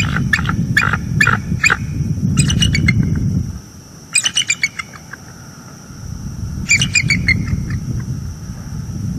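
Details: Pair of wild bald eagles at a nest tree in northeast Florida, just after midnight on 30 October 2022, giving warning calls while watching and chasing off an owl; bursts of high, rapid chittering notes over low rumbling background noise.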